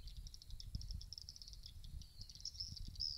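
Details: Swiftlet calls played to lure swiftlets to roost in a bird house: rapid, high, thin chirps in an uneven twittering stream, with a low background rumble.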